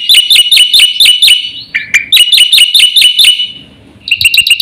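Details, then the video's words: Quick series of loud, bright, hooked whistles from a black-winged starling, repeated steadily, briefly broken by a lower note, then a final burst of rapid chips. "suara burung jalak putih GACOR FULL ISIAN paling cepat"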